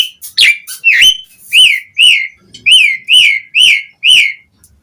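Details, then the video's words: Asian pied starling singing energetically, used as a lure for other starlings to sing; a few varied whistles, then a regular string of loud arched whistles about twice a second. "Suara Jalak Suren Gacor buat Pancingan Burung Jalak Agar cepat Bongkar Isian"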